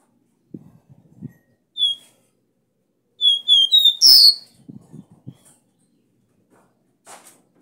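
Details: Copper seedeater (caboclinho), the strong 'Dó Ré Mi' three-note song used to fire up a caged bird: a few high clear whistled notes, then a rapid run of short whistles ending in a loud burst, with soft low knocks in the room.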